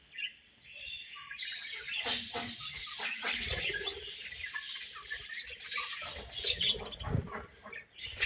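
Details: Budgerigars in a colony produce a thick wash of chirping and squeaks, blended with flapping and rustling noise throughout.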